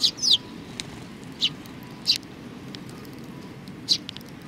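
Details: Sparrow calls at Tenmangu shrine on 4 July 2019: a quick pair of sharp chirps, then single high chirps at irregular gaps of about a second, over faint background hum.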